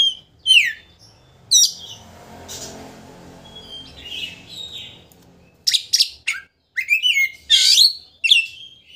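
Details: Oriental magpie-robin song meant to rile a rival into opening its tail. Scattered sharp chirps are followed by a quiet gap with faint background noise, then a dense burst of whistles and harsh notes.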